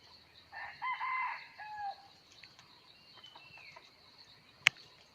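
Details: Crow of a red junglefowl from 17 March 2020: one hoarse, harmonic call lasting about a second and a half, ending in a lower drawn-out note, followed by quiet chirps, a constant high hum and a sharp click.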